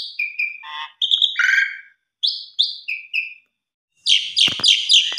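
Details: Asian pied starling singing its complete lure repertoire with pumping fills: nasal harmonic notes and paired squeaky whistles in short groups separated by brief pauses, ending in a loud harsh rasping burst.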